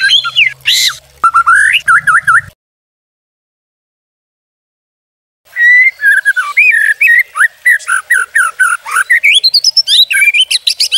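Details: White-rumped shama song used as a masteran training and pancingan lure recording: loud varied whistled phrases and slurred notes, broken by a sudden silence of about three seconds, then a busy run of rising whistles and quick chirps.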